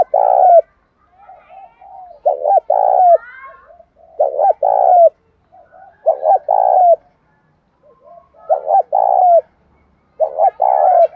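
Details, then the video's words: Spotted dove in captivity repeating its 'bài bổi' song to encourage other doves: about six low purring coo phrases, each led by a short doubled note, with quiet twittering of other small birds in the background. "cu gáy bài bản bổi nghe khó đỡ nhất hiện nay, khó mấy cũng phải gáy theo"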